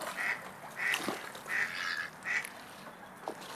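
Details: A duck makes a rolling, popping display noise: four short, mid-pitched popping notes about every three-quarters of a second over a faint background hiss.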